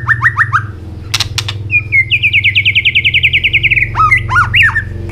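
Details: Robin from Asia singing loudly: a few rising chirps, then a long rapid trill of evenly repeated notes, followed by looping whistled phrases, with a low hum underneath.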